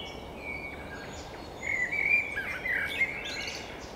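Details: Common blackbird singing: a mellow fluted warble that rises and falls, with brief twittering flourishes at the end, over a steady rush of background noise.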